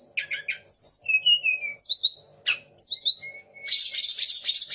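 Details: Sunda laughingthrush in full song, mixing in the voices of magpie-robin, shama and orange-headed thrush. Quick sliding whistles, twittering notes and a final harsh buzzy burst, over a steady low hum.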